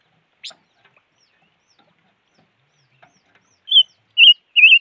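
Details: Bird known locally as the five-coloured bird calling: after a faint tick, three loud wavering whistled notes come in quick succession near the end, each about half a second apart.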